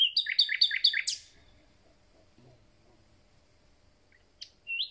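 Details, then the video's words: Newly arrived common nightingale opening its concert with a rapid, loud run of repeated notes lasting about a second, followed by silence and a brief high chirp. "Słowik rdzawy i jego piękny śpiew"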